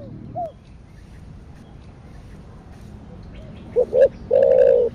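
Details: Spotted dove of the thổ đặc thúc style (thổ sấm): one soft arched note, a pause, then two short notes and a long, loud, level coo.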